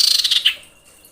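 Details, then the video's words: Female common iora in breeding condition, calling to attract males and used as a lure call: a quick series of about ten high, sharp chirps, then one stronger, slightly lower note, followed by quiet. "suara pikat sirtu/cipoh birahi menjerit memanggil jantan"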